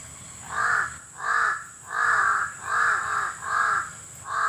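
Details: Six loud, grating caws from a crow (uwak) in an even rhythm, each about half a second long, over a persistent thin high-pitched drone.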